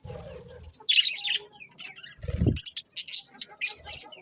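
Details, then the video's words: Colourful pet budgerigars chirping: bursts of high, scratchy chatter and short tweets, with a few low thuds at the start and middle. "Cute Colourful Budgies Chirping Sounds"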